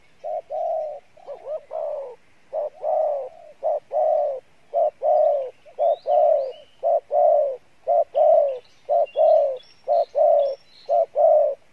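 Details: Field-caught spotted dove performing the Pha Bài Lối cooing style. A long run of low, throaty coos comes at a regular beat, about one per second. A smaller bird adds high, sharp chirps in the second half.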